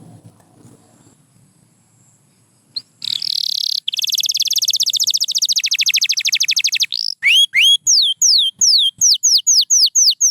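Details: White canary singing: after a quiet start, a dense buzzy trill of rapid repeated notes, then a series of loud clear whistled notes sweeping downward, each repeated at a steady pace with short gaps.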